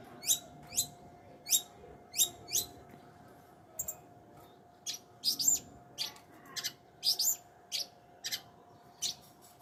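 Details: Long-tailed shrike giving a series of high, quick down-slurred whistles repeated about every half second, then scattered sharp chirps and short harsh notes, with a low steady hum underneath.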